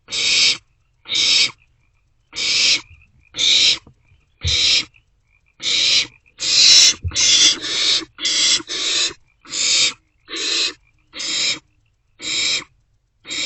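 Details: Several barn owlets sharing a vole in an owl box, night of 27 March 2024. A long series of about fifteen rasping hisses, some overlapping closely in the middle, at about one per second.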